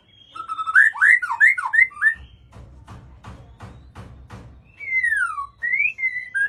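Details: White-rumped shama song: rich, looping whistled phrases that rise and fall, a pause of soft scratchy clicks, then long slurred descending and rising whistles.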